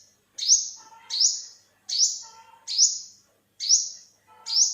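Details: Olive-backed (yellow-bellied) sunbird recorded in Thailand, 2021, giving six sharp rising buzzy calls, each sliding up and trailing off into a flat hiss, spaced under a second apart with short pauses.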